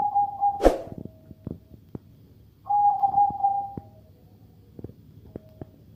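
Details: Perkutut (zebra dove) of the katuranggan majapahit type, said to sound different from ordinary zebra doves: two mid-pitched cooing phrases, each a stuttered run of notes ending in a long level tone, with a sharp click between them and soft taps afterward.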